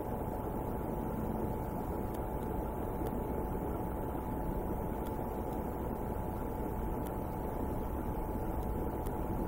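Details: Constant heavy rumbling wind-like noise with a faint hum and sparse clicks, and no animal calls.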